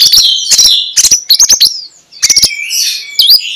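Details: Magpie-robin song in the morning, ngeplong style, used to make sluggish magpie-robins chatter: groups of fast clicks fused with bright whistles, a short gap, then clicks, a slurred whistle and an upward-swooping note.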